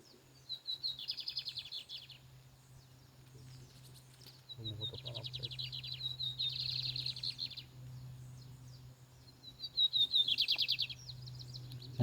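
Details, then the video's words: Spirited Lined seedeater in a singing tournament gives three buzzy trilled phrases spaced roughly four seconds apart, each opening with short whistled notes before a dense rapid trill; a faint murmur underneath. "bigodinho fogoso no torneiro"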